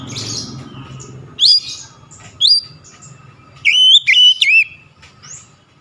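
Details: Oriental magpie-robin song used to coax lazy birds into singing: a few sharp, high whistled notes with upward twists, spaced irregularly with quiet gaps, over faint low hum.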